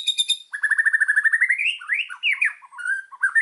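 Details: White-rumped shama master song for training birds: a quick burst of high notes, then a fast evenly repeated stutter of about twelve notes that climbs into loud swooping whistles.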